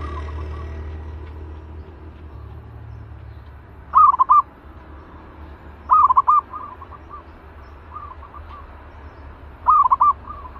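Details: Caged zebra dove, described as fierce and being readied as a trapping decoy, gives three loud clipped trilled coos in short bursts about every three seconds, with fainter answering coos between, over low steady background rumble.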